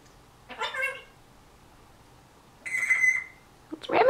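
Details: Year-old captive African Grey parrot talking indoors, September 2010: a burst of word-like babble, a long pause, then an even flat whistled tone lasting most of a second, and a sharp rising syllable at the end.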